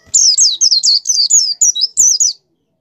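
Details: Continuous white-eye 'gacor' song, played to encourage kept white-eyes to open their beaks and sing: over two seconds of high, tumbling, slurred whistles in a rapid, unbroken stream.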